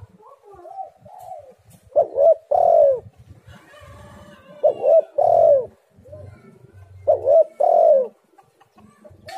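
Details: Spotted dove lure call for getting doves to sing: soft introductory notes, then three phrases of two brief coos and a drawn-out sliding coo, spaced about two and a half seconds apart, over faint low background noise.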